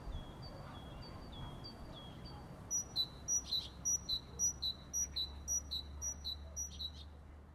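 A sparrow gives a run of bright, sharp chirps, about two or three a second, after a few softer, falling notes, over a low steady hum.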